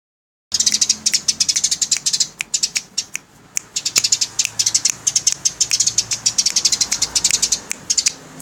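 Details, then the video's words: House sparrow giving a fast, dry, rattling chatter of harsh chirps in rapid bursts, recorded as a master track for training songbirds. The chatter starts after a half-second silence and runs almost unbroken. "Burung gereja nyerecet buat masteran"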